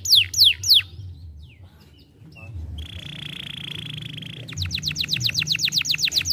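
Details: A young canary gives three loud falling whistles, a pause with faint notes, a steady buzzy tone, then a rapid run of short sweeping notes.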